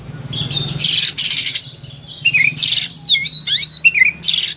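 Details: Oriental magpie-robin in excited song, used as training audio for other birds: loud harsh rasping bursts alternating with short sliding whistles and twisting slurred notes, over a low droning hum.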